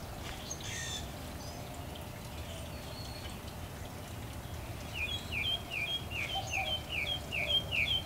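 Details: Back-yard mockingbird song: after a quiet start, a run of about a dozen sharp, evenly spaced rising chirps, repeated rapidly over background hum and soft distant twittering.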